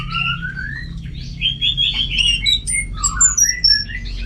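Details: Orange-headed thrush singing a varied rapid song of whistled and slurred notes that jump between mid and very high pitch, over a steady low hum.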